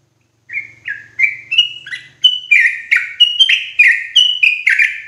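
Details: Loud, clear sooty-headed bulbul lure call for trapping birds in forest: about a dozen short, bubbly, slurred notes in a lively chattering series, each a quick rising-falling phrase, roughly three per second after a brief silent start.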